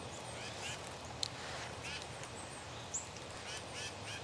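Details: Black-capped chickadee calling with several hoarse, buzzy 'dee' notes spaced unevenly, plus a couple of brief sharp high ticks, against soft outdoor hiss.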